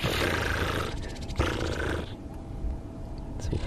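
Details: White-browed scrub robin giving its alarm or evening call from close by but unseen, perhaps at a mongoose, snake or the vehicle, on a morning safari drive on 10 November 2015. A dry, buzzy, rapid rattle runs about a second over rumbling background.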